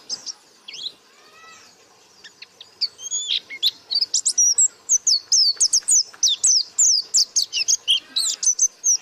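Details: White-eye song in the 'gacor buka paruh' style, opening with a few softer swept notes, then building into a fast, continuous stream of piercing high chirps and slurred whistles.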